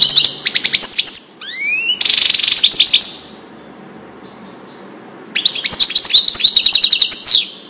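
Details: European goldfinch in Wedani-style song, recorded for teaching young goldfinches: bursts of bright, rapid twittering notes, then upward-sweeping whistles, a buzzy trill, a silent pause and another fast tinkling run.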